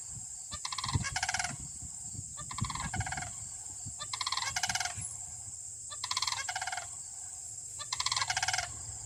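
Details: Two sandhill cranes in Michigan, standing apart in a pasture and a field, call loudly to each other with rolling, rattling bugles in bursts of about a second, roughly every two seconds, over a steady high insect-like hiss and low rumble.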